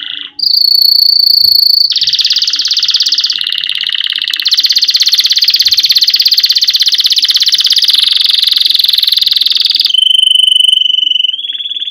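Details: Canary singing to train chicks: after a brief pure whistle, an intense, loud, continuous rapid roll runs for several seconds, then a softer steady whistled tone closes the phrase.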